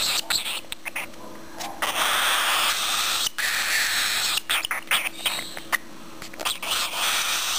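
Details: A hungry one-month-old cockatiel chick, awaiting hand-feeding, gives harsh, raspy hissing begging calls in near-continuous bursts with short breaks, along with soft clicks and a low indoor hum.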